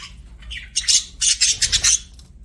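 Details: Pet budgies chirping: a quick run of sharp, high, scratchy chirps and squawks bunched in the middle, with faint low hum beneath.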